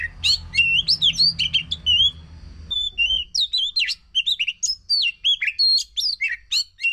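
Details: Oriental magpie-robin song played to coax a non-singing bird into singing: rich, rapid sequence of whistled, sliding and chattering notes, high-pitched and continuous, with a faint low hum during the first few seconds.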